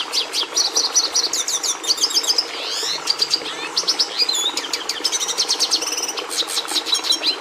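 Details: Red siskin (Carduelis cucullata) pouring out a brisk, high twittering song with quick repeated chirps, buzzy sweeps and rattling trill bursts in steady succession.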